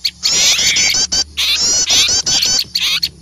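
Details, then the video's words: Frightened small birds calling at an owl, recorded as a lure: long runs of buzzy, rattling high chatter with a few short breaks, over a faint low hum. "Suara pikat burung kecil ribut takut melihat burung hantu"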